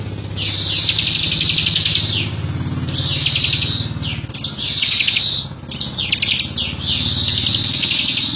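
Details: Bar-winged prinia singing persistently in long, tight 'ngebren' style. Sustained, sizzling high trills of rapid notes come in bursts of one to two seconds over a continuous low hum.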